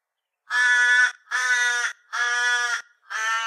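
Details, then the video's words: Torresian crow from northern Australia gives four harsh, nasal drawn-out caws, each about half a second long, evenly spaced with brief gaps, against a silent background. "Torresian Crow"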